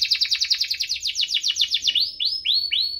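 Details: Canary song for stimulating slow singers: a loud rapid trill of downward-slurred notes, then spaced upswept chirps, about two per second.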